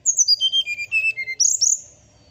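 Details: Morning song of a Brown-chested Jungle Flycatcher: a quick run of whistled notes descending in pitch, followed by two sharp, high rising-then-falling notes.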